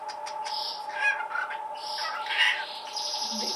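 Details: Cockatiel giving short chirpy calls, a few higher whistled notes around one and two and a half seconds standing out, over a steady electrical hum throughout.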